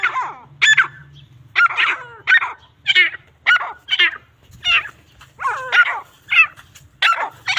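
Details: Fighting grey francolins giving a rapid series of harsh, grating notes, about twelve bursts in under eight seconds, some with falling harmonic sweeps, faint low hum beneath.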